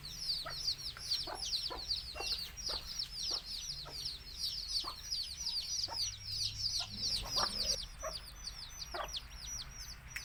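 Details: Domestic chicks chirping beside a mother hen calling her brood to eat, Tamil backyard flock; a continuous chorus of high downslurred peeps, plus repeated short clicking taps and soft clucks throughout.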